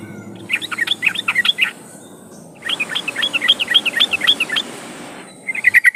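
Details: Yellow-vented bulbul song played as a lure to make trucukan sing: two bursts of fast, bubbling chirps separated by a short pause, ending in brighter repeated notes, over steady hiss.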